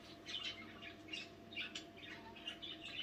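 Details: Pet budgerigars chattering at night indoors, soft scratchy chirps and short warbled notes coming in quick irregular bursts over a steady low electrical hum.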